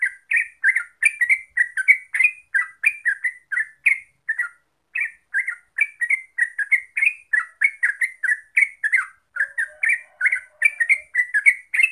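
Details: Yellow-vented bulbul (terucuk) in a long ropel singing bout: bubbly, chortling notes at about three per second, one short pause midway, then a brisk resumption.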